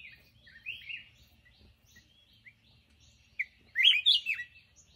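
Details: Black-crested bulbul singing: two short bursts of bright, warbling notes, the first around the start and a louder, jumbled flourish near the end, separated by a quiet gap with faint single chirps; a soft low hum underneath.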